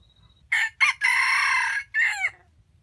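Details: Decoy red junglefowl in a jungle chicken trap, fighting and calling; two clipped opening notes lead into a long, steady, harsh note, followed by a shorter falling final note, in a quiet setting.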